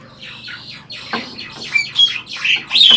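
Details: Caged Asian pied starling parent imitating talk, giving a rapid run of harsh, buzzy squawks and high whistled notes, loud and continuous, with a person speaking nearby.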